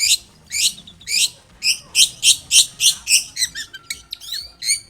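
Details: Long-tailed shrike singing energetically, used as a lure to prompt another shrike to answer: a steady run of rough, rasping chattered notes, about two per second, ending in varied squeaky twitters.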